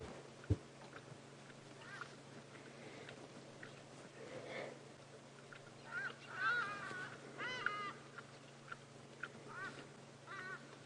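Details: Hadeda ibises flying off to their roost in the late afternoon, on a late-August game drive at Djuma Game Reserve, give loud, harsh honking flight calls in the distance over a low steady hum. Hadeda Ibis.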